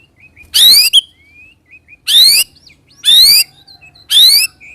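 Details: A white-rumped shama, used as a lure to make other shamas respond, repeats harsh raspy buzzes about once a second. Soft short whistled notes are scattered in the gaps.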